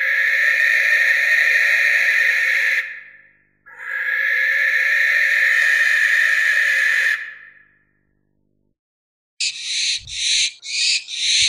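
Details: Barn owl, Tyto alba, uttering two long hoarse screams in succession, then a quick series of four short hissing rasps accompanied by faint low thuds.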